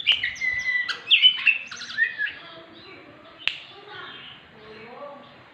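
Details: Oriental magpie-robin song played to stimulate silent birds into singing: a burst of bright varied whistles and slurred notes in the first two seconds, then a sharp click and soft, fading warbled phrases.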